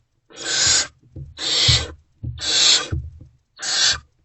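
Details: Barn owls inside a nest box at night, 28 February 2024, with food deliveries; four long rasping hisses, each about half a second, separated by gaps with soft knocks and shuffling.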